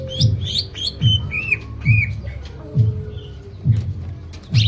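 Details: Greater green leafbird singing energetically with a varied repertoire: sharp chirps, rising and falling whistled slurs and short trills, set over a steady low thumping beat roughly once per second.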